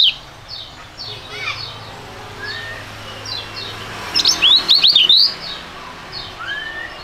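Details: Young Indonesian songbirds, storing and prugut, singing together in a fighting-style duet; soft descending chirps and a few slurred whistles, then a loud burst of sharp high twittering notes near the middle, with rural background noise.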